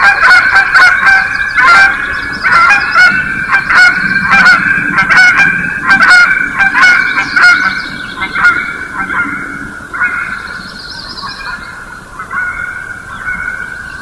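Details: Canada geese honk in a loud, dense chorus of overlapping nasal honks, mixed with the rolling calls of sandhill cranes, in the early morning of May 4, 2016 at Johnson Prairie, Klamath County, Greensprings.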